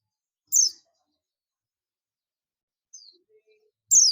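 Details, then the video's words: Buxtoni Oriental white-eye summoning its companions with loud, high, falling calls, one early and one at the end, separated by a long quiet gap holding a single faint thin note. "pleci buxtomi ngalas ‼️ pleci lain pasti ikut ngalas"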